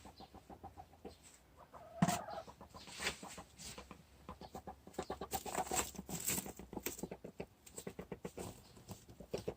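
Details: A four-year-old hen, possibly entering the early stages of broodiness and leaving the nest less often than the others, makes a strange noise: rapid, evenly repeated low pulses forming a continuous purring rattle, with occasional louder clucks and background rustling.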